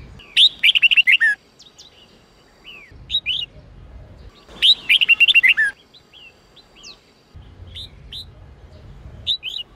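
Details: Sông Kôn red-whiskered bulbul delivering an 8-9-10 note training song. Two fast, bubbly warbled bursts about four seconds apart, each sliding downward, with short whistled chirps between them and a faint low rumble in the background.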